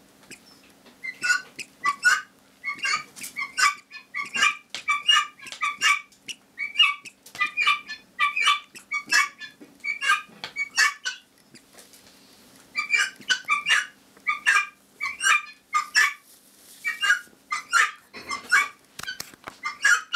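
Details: A tame helmeted guineafowl hen sits cuddled on her owner's lap while another guineafowl in the background keeps up harsh, rasping "nagging" calls in a fast, uneven run, nearly one after another.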